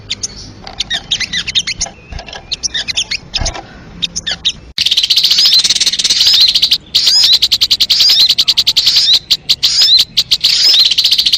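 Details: Crimson sunbird for bird luring: sparse high twittering phrases at first, then an abrupt change to loud, dense, rapid high chattering that continues with short pauses.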